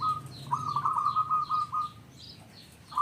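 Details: Local zebra dove singing to lure other zebra doves, one sustained phrase of quick pulsed coos lasting over a second, a new phrase starting at the end, backed by soft high chirping and low hum.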